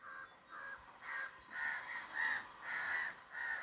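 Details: Crow repeating hoarse caws in a fast, fairly even series, building slightly in loudness across a short stretch.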